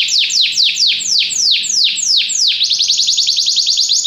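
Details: Canary singing slow, loud, downward-swooping whistles about three per second, then breaking into a fast, even, high trill.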